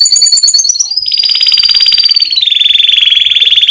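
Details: Loud champion canary in a cage, singing a sustained, fast-rolling trill that holds steady and then steps lower, sounding sharp and piercing, with whistled notes above it.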